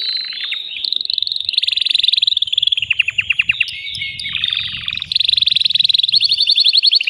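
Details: Agitated male canary in a cage singing to stimulate a female toward mating: continuous high rolling trills, rapid pulsed runs that shift pitch, some dropping lower, with no pause throughout.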